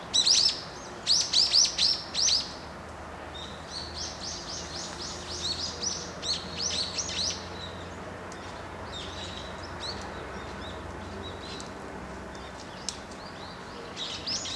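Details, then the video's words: Several Bramblings (Fringilla montifringilla) give quick bursts of short, high chirping notes, loudest in the first few seconds, then softer scattered calls over a low background hum. "되새 Brambling"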